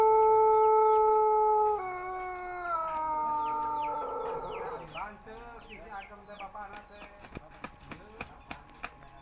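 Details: Young Pelung rooster, soft-voiced, its crow already including the 'bitu' part. The sustained, multi-toned crow tails off and drops lower over about four seconds. Rapid chirping calls and sharp clicks follow.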